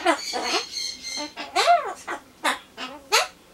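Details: A pet Ducorps's cockatoo chatters to itself while waiting for pumpkin, in harsh, raspy bursts with arched, crow-like rising and falling phrases, about six calls in under four seconds. It often mimics Japanese phrases and rooster and bush-warbler calls.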